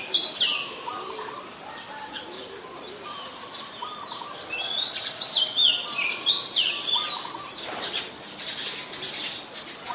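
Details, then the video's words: Oriental magpie-robin song recorded in Ubon Ratchathani, Thailand, 14 October 2021, where it is a very common resident: bursts of sweet, warbled whistles with quick rising and falling slurs, louder in the middle section, against soft rural background noise. "นกกางเขนบ้าน Oriental Magpie Robin (singing)"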